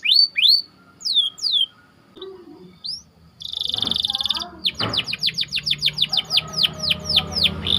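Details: White canary chirping in a close rolling song for training other birds: scattered swooping whistles, a buzzy burst, then a rapid run of descending notes.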